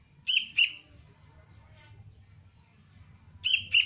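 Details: Two pairs of sharp, high-pitched chirps from a young sooty-headed bulbul trained as a cengkram trapping lure, one pair at the start and one about three seconds later, with low hum between.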